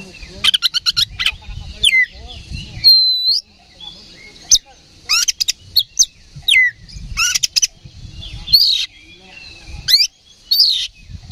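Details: Aggressive singing from an oriental magpie-robin, used to provoke fighting responses: clusters of fast staccato notes, long level whistles and steep upward sweeps, delivered in irregular bursts.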